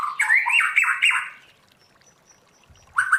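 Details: White-rumped shama trained to forest-style singing: a few fast harsh looping warbles in the first second and a half, a quiet gap with faint tones, then a new phrase starting.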